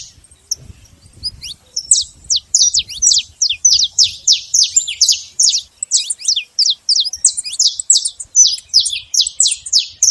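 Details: Saffron finch singing at liberty in the wild, a long continuous stream of crisp high chirps, each a quick downward slur, delivered in rapid irregular series across ten seconds in a quiet setting.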